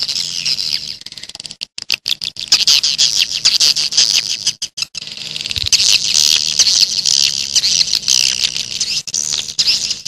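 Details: Wild grey-breasted prinia, calls used to attract wild birds: long runs of shrill, high, rapidly repeated chips, roughly two per second, forming a nearly continuous bright trill with a few short gaps early on.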